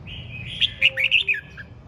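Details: Red-whiskered bulbul in ché chẻ song, a single energetic phrase of loud, clear chirpy whistles, five quick notes stepping up and down, ending in a soft lower note.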